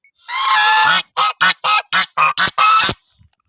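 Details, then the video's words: Goose calling: one long harsh honk followed by six short nasal honks in a quick, even series, loud and close. "goose voice"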